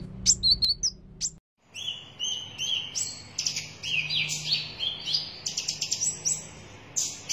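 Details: Red-breasted sunbird (konin dada merah) in active song: scattered high thin chirps and short whistled notes, some doubled, over a steady low hum, with a brief silent break near the start.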